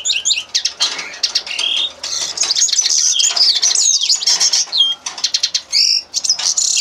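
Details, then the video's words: Common linnet song, a long, lively jumble of sharp chirps, buzzy twitters and brief whistled slurs, with short gaps between bursts. "carduelis cannabina singing"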